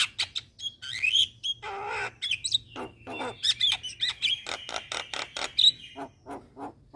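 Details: Starling calls from a lure recording meant to make starlings, including Javan myna, black-winged myna and Nias hill myna, respond: dense harsh rasping bursts mixed with short bright whistled notes, tumbling irregularly over seven seconds.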